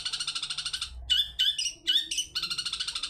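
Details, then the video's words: Long-tailed shrike lure song, 'toet toet' style, used to prompt other birds to sing: a fast buzzing trill, then several harsh slurred notes, then the trill resumes at the end. "Pancingan cendet toet toet || ahlinya mengundang bunyi"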